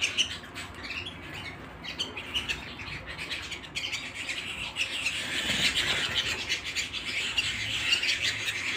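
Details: Canary singing at home, a dense wash of high chirps and twittering trills that swells louder after the fifth second, with a low steady background hum.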